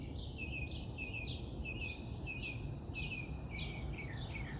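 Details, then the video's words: Morning song of a robin, a run of clear, high, down-slurred chirps given in quick repeated phrases roughly twice a second, with a steady low-pitched background hum underneath. ""The Birds Are Still Singing" says the Robin"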